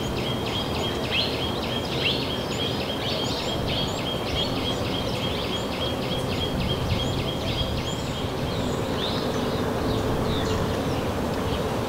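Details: Small minivet (Pericrocotus cinnamomeus) in the Narsapur forest range, giving thin, high chattering notes in quick runs over a steady high-pitched drone and heavy low background rumble; call.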